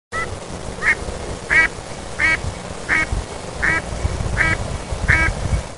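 Mallard giving a steady series of seven nasal quacks, roughly one every 0.7 seconds, over a low rumbling background.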